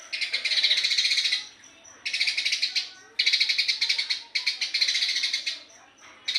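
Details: Fast, busy song of a Eurasian tree sparrow, long runs of rapid chirping notes repeated in bursts of one to one and a half seconds, with brief high thin notes in the gaps.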